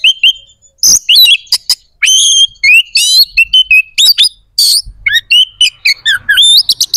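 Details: Oriental magpie-robin in nonstop 'gacor' song to spark aggression and breeding drive in other magpie-robins: an almost unbroken stream of loud whistles, rising slurs, buzzy trills and sharp chips, changing note every fraction of a second.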